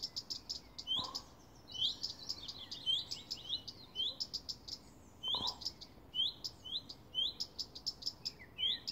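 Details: Two common redstarts in a garden send warning calls for hours: repeated rising 'hweet' whistles, about one every second, while other small birds chirp and twitter busily around them.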